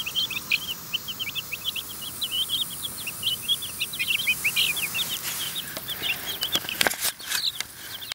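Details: Chicks in a run, eating food offered by hand: continuous thin high peeping from several young chickens, with sharp scraping and knocking handling noises breaking in during the last few seconds.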